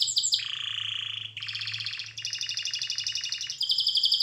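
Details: Canary song for training: a bright opening flourish, a lower sustained whistled tone, then pulsing buzzy rattles at shifting pitches, somewhat quieter than the rest.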